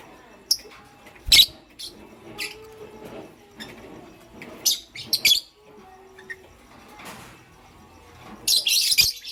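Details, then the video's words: Lovebirds, a pastel gray and a green one, chirping in the morning with shrill, scratchy high notes at irregular intervals, a quick double chirp mid-way and a dense screeching burst at the close. "Pastel Gray LoveBird Chirping Sound"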